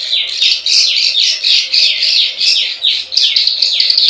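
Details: Plain prinia lure call, 'klik klik ciwah' style: loud, harsh downslurred buzzy notes about three per second, each a scratchy chirp, with a short gap near three seconds before the series resumes.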